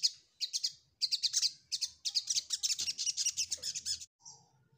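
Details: Ruby-cheeked sunbird seeking a rival, giving rapid high-pitched chirping notes grouped in quick runs that merge into a longer continuous twittering phrase, with faint low background rumble.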